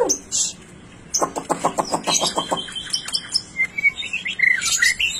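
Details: White-rumped shama singing an unusual, rare 'blorok' style: a soft opening note, then a rapid train of about eight clipped notes followed by high whistles and rising-falling slurs.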